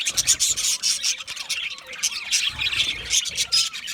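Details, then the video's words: An aviary flock of budgerigars chirps in quick irregular bursts: bright squeaky notes, harsh chatter and an occasional thin rising whistle. "Budgie parrot chirping sounds"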